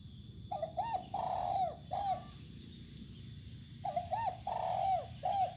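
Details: Spotted dove in the open, set out to sun, coos two full phrases separated by a pause. Short notes lead into a looped, rolling coo and a sustained note that drops away, with faint low rumble behind.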